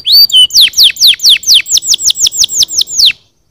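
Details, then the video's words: Canary song used to stimulate other birds to sing: a fast series of loud downward-sweeping whistled notes, about two per second slowing to a steady tumbling run, ending abruptly in silence. "Suoni di canarini che cantano per stimolare i suoni degli uccelli"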